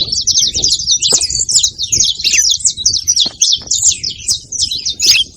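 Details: Saffron finches singing together; a continuous string of fast, high, scratchy chirps and twitters with little pause, one voice weaving over another, low murmur beneath.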